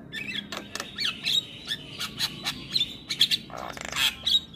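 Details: Javan myna singing busily with varied filler: squeaky whistled notes near a steady pitch repeated in short bursts, grating chatter, and a rough buzzy burst near the end.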